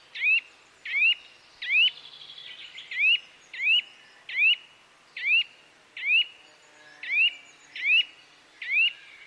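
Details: Bird chirping as sharp rising chirps repeated steadily, a little more than one per second, each a quick upward sweep, with faint softer chatter between them.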